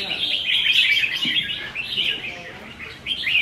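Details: Red-whiskered bulbuls kept in cages, practising for a singing contest on 15 May 2021: a dense, continuous tangle of high, quick, bubbling notes from several birds at once, with no other clear sounds.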